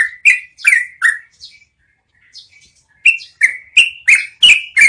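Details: Yellow-vented bulbul song kept as training material for caged birds: a few clear, slurred, slightly falling whistled notes, a near-silent pause of about a second and a half, then a quicker string of similar notes rising a little.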